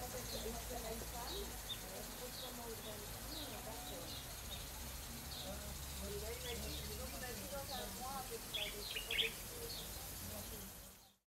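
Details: Brown babblers (Turdoides plebejus platycirca) at Saly, Senegal, April 2010: busy, nasal chattering of overlapping calls, thin higher chirps above, and a low rumble of wind throughout.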